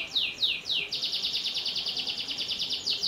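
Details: Canary in continuous song to encourage young canaries: three slow downward-sweeping notes, then a fast, even rolling trill.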